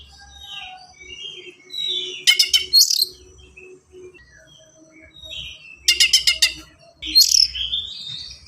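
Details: Oriental magpie-robin with fast, dense, sharp song used to train and stimulate untrained birds: soft scratchy warbling broken by three loud bursts of rapid ticking notes and high rasping slurs.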